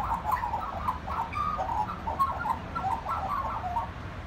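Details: Magpie singing at a family home, soft continuous warbling of quick, bubbling mid-pitched notes over a faint low hum.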